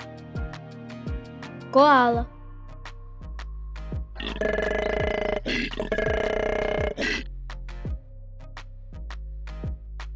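A cockatoo gives a long, harsh, raspy screech lasting about three seconds, over a steady children's music beat, with a brief spoken word before it.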